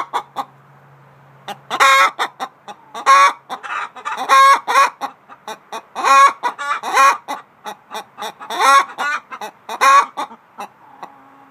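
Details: Laying hen's egg song, which can come before, during or after laying an egg, with other chickens chiming in; a red hen laid her first egg next afternoon. Bursts of sharp cackling clucks, irregular groups, with brief pauses between runs.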